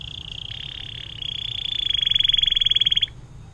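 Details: Atlantic canary in the long 'air mancuran' song style for tutoring other songbirds: a high buzzy sustained trill building into a loud rapid rattle, then cutting off abruptly into quiet.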